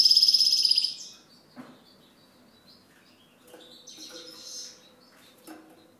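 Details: European goldfinch opening with a loud, rapid, buzzy rattling trill, then softer scattered twitters and a wheezy phrase after a short pause.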